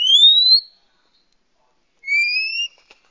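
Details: Oriental magpie-robin, a female said to be calling males, used to lure wild birds: two long, clear, upslurred whistles with a faint higher overtone, each lasting about half a second, separated by a pause of more than a second.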